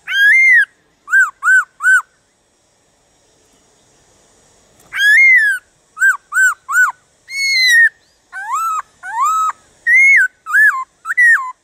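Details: Black-throated laughingthrush singing to spur other laughingthrushes into song: short arched whistles in groups of three, a quiet gap, then a varied string of rising and falling whistled notes.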